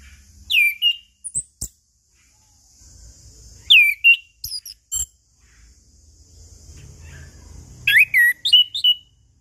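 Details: Chestnut-capped thrush singing, played as a lure to get silent birds singing morning, noon and evening; clear downslurred whistles with sharp chips, in three separated bursts, over a faint continuous high hiss.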